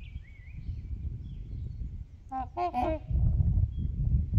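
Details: A rapid run of three or four nasal trumpeting honks from trumpeter swans on Horseshoe Lake, which they share with geese, with a high whistled birdsong earlier and rumbling wind throughout.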